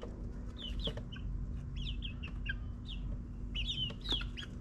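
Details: Backyard chicks in their ninth week, kept in a suburban run in the morning before foraging for spiders: short high chirps and clucks come in irregular bursts over a steady low hum, possibly a lawn mower.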